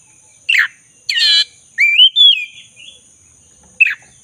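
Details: Black-breasted magpie-robin lure song for restoring a silent bird's singing: a sharp downslurred note, a harsh buzzy burst, a long rising-then-falling whistle, and a final short note, over a constant high whine.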